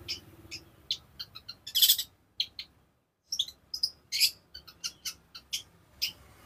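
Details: Long-tailed shrike singing energetically as a master and lure for training other birds: rapid sequence of short, sharp chirps and harsh rasping notes, a brief pause midway, then dense varied chips resume.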